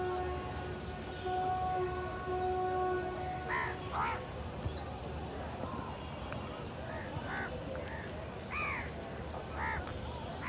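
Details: Village crows feeding and fighting over food: a tonal hum fades at the start, then a series of harsh caws from several crows comes in irregular bursts through the second half, with background noise throughout.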